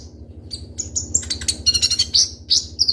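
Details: Rapid, crisp singing of a Konin (kolibri ninja sunbird) used to prompt other birds: accelerating high chips merging into a dense buzzy trill, ending with loud squeaky notes, low hum present.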